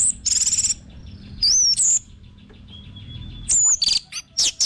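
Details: Orange-headed thrush singing as a lure recording: short trilled bursts and high slurred whistles, separated by a lone, steady, thin whistle and brief gaps.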